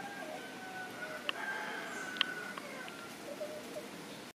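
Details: Rose-breasted grosbeak gives sharp, squeaky 'eek' call notes, two loud ones about a second apart and a few fainter, over a steady high hum and a distant rooster.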